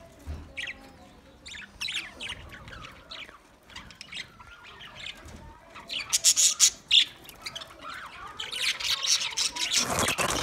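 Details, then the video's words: Twenty pairs of budgerigars: scattered chirps and soft warbles at first, then a loud burst of rapid clicking squawks and a swelling noisy chatter toward the end. "20 Budgie pairs chirping sounds"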